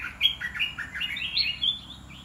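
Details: Caged red-whiskered bulbul in a blended 'dok taeng' and 'ta daeng' song: a rapid, continuous phrase of short mellow whistled notes that step up and down, over a faint low hum.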